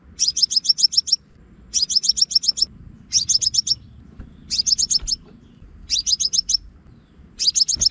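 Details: Scarlet-backed flowerpecker call played as a trapping lure: bursts of about six sharp, high ticking notes in quick succession, each burst lasting about a second and repeated every one and a half seconds, over a faint low hum.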